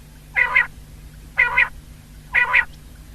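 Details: Common quail (Coturnix coturnix) calling on 19 February 2024: three short, liquid, clipped phrases, about one per second, each with a quick double-noted lilt, over a faint low hum.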